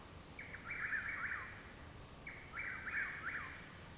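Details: Chuck-will's-widow behind a house in Parkersburg, West Virginia, at night on 21 June 2019; two rolling, whistled phrases roughly two seconds apart, each with a brief opening note, over low steady background noise.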